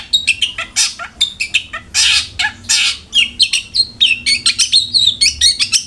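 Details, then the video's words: Long-tailed shrike singing in a lure recording meant to make kept shrikes sing readily: dense, hurried medley of chirps, buzzy harsh notes and bent whistles, rich and continuous throughout. "PANCINGAN CENDET AGAR RAJIN BUNYI"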